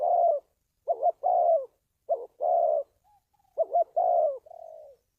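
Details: Spotted dove, sound used to lure wild doves for trapping: three phrases of a quick two-part note and a long hollow descending coo, ending on a softer drawn-out falling note.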